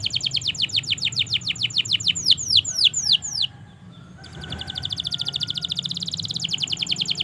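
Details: Canary in long continuous song, used to prompt jammed and young canaries to sing: quick descending sweeps, a brief near-silent gap, then a rapid fine rolling trill.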